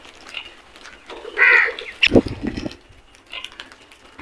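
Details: Crows in a flock going for food: one loud harsh caw around the middle, followed by a rougher, lower grating call, with quieter caws faintly at the start and end.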